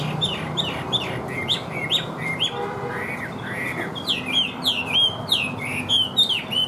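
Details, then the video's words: Caged Chinese hwamei, said to sing well with an even voice, repeating clear high whistled notes that bend downward in a rapid series, then a slower middle section and another fast run of ringing slurs. "HÓT TỐT RA GIỌNG ĐỀU"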